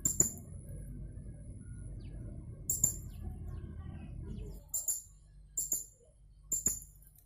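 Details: Online contest entry, a caged blue-crowned hanging parrot from Jungkat, West Kalimantan: five bursts of piercing double squeaks, spaced roughly a second apart toward the end, after a low hum that suddenly drops away.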